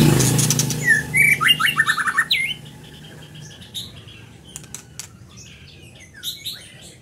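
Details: Rapid series of bright, down-slurred whistles from a scarlet minivet, repeated about three times a second, with a low hum at the start and sharp clicks and brief high chirps afterward.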